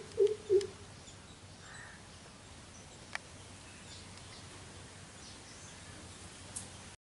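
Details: Greater coucal (Centropus sinensis) calling from a tree, one of three birds present, giving two deep, hollow hoots in quick succession, then a quiet outdoor hush with a faint distant chirp.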